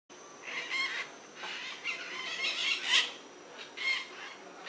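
White-eyed parakeets give harsh, screechy squawks in short bursts, roughly one every second, over a steady background hiss.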